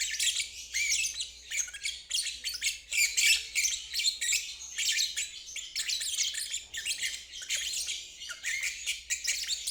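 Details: Nearly unbroken ngeriwik song from a lovebird, offered so stalled birds and young birds can learn it. A continuous stream of shrill, rattling chatter lasts almost ten seconds with only tiny breaks.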